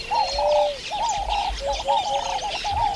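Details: African turtle doves in the savanna of the Masai Mara, Kenya, give soft, hollow, dark wooden-sounding coos in short phrases repeated roughly every 0.8 seconds, with thin chirps of other small birds above.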